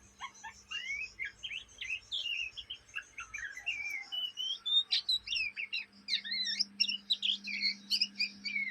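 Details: Juvenile Oriental magpie-robin chattering day and night (ngriwik), Indonesia: continuous quick, varied notes, whistled slurs and chips growing louder and denser toward the end, with low thumps early on.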